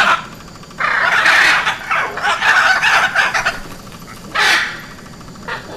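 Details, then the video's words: Hyacinth macaw giving loud, harsh, grating squawks in a long burst, then a shorter screech near the end, over a quiet background. "Odgłosy Modroary Hiacyntowej"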